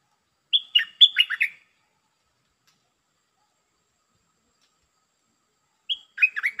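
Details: A decoy red-breasted parakeet, used to call a territorial wild bird down, gives a quick burst of sharp, squeaky chirps. After a few seconds of silence a second burst follows.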